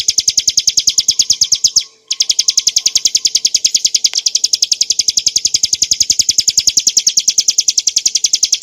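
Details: Bar-winged prinia, montana subspecies, singing clearly to tutor and prompt cage birds: dense, quick high chirps repeated about three times a second, with one short silent break near two seconds.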